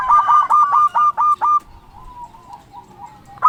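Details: Chatty local zebra dove calling to challenge rivals delivers six loud, clipped coos in quick succession, followed by a softer, drawn-out trailing coo.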